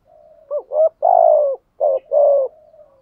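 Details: Decoy spotted dove cooing in the rapid 'thúc gù' style with a local-type voice: two short clipped coos, a long drawn coo, a pause, then two more coos, all mid-pitched and hollow over a faint low background murmur.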